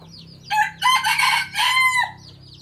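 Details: Home-bred decoy red junglefowl of the traditional Phatthalung line, used to lure wild junglefowl, gives one loud crow lasting about a second and a half. It opens with a short note, then holds a long harsh middle section and ends in a drawn-out tail.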